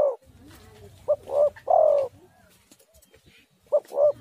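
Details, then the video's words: Spotted dove calling to draw responses from other doves: a trailing coo, then a full phrase of two short notes and a long falling coo, followed by the start of another phrase. "tekukur super gacor suara ini paling di sukai semua burung"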